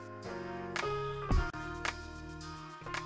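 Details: Instrumental music with sustained tones and a few percussive hits, with no animal voices.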